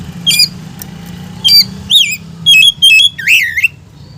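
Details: White-rumped shama singing to provoke other shamas: a rapid series of high whistled notes, sweeping looped phrases and a final rising-falling warble, all loud and clear over a faint low hum.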